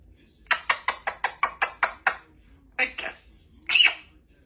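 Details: Two-year-old female Congo African grey parrot kept as a pet in a country home, talking; a fast run of nine short clipped syllables, then two separate longer phrases, in a quiet small room.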